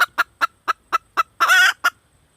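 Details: Female red junglefowl calling to attract a mate, giving short clipped clucks evenly spaced about four times a second, broken by one longer harsh, grating note before a final cluck.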